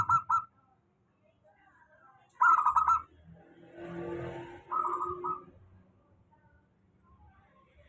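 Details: Local zebra dove song used as a steady lure for doves that rarely sing: three short, pulsed, mid-pitched cooing phrases, with a low rumbling noise in the middle.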